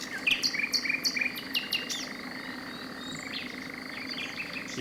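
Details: Common nightingale in Extremadura, Spain, in April, the first nightingale song of the season: a rapid burst of sharp, high whistled notes and trills in the first second and a half, over a steady background chorus of amphibians.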